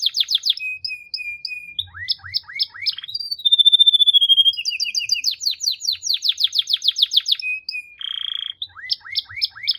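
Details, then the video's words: Varied canary song: short whistles, a flat held note, a row of descending slurs, a sustained thin high whistle, fast sweeping phrases, a buzzy burst and more falling slurs. "The most Unique and Beautiful Canary Singing"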